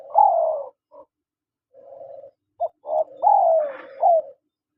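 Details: Male and female spotted doves calling: a strong drawn-out falling coo opens, then a soft low hum, short clipped notes, and a second loud descending coo phrase, with a brief rougher burst overlapping near the end.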